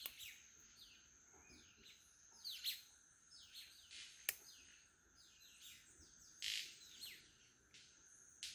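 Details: Male White-collared Manakins lekking at Rancho Naturalista Lodge, Costa Rica, calling and snapping wings: many quick downslurred chirps overlapping, scattered sharp snaps, and one crisp click, with a continuous high insect whine behind.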